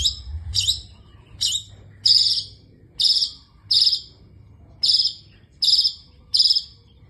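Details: Long-tailed shrike singing in 'isian' style. Harsh, buzzy, scratchy notes come spaced out, about one every second, separated by quiet gaps.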